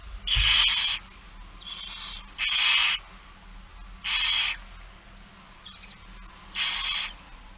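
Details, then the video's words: Barn owl chicks begging at feeding time, recorded 8 September 2019 in Friesland, the Netherlands: harsh hissing screeches, each about half a second to a second long, repeated irregularly at a few-second gap over a quiet background. "Kerkuil It Fryske Gea 2019 09 08 16 02 voedering"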